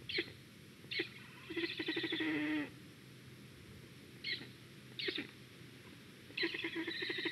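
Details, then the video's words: Black stork reacting to a squirrel at its nest in Estonia, 2021, on a nest live stream: short dry clicking bursts, then a buzzy, rattling pulsed call about a second long, more clicks, and another rasping call beginning near the end. "Ciconia nigra_ black stork reaction to a squirrel"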